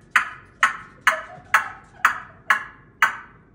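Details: Seven sharp metallic pings struck about every half second, each ringing and fading quickly, with no animal voice heard.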